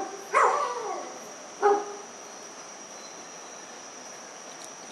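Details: Two wild Dusky-legged guans seen at a country estate near Pereira, Colombia, on 25 November 2021 around 5:30 pm; two loud harsh honking calls with a low nasal buzz, about a second apart, then quiet with a steady high insect hum.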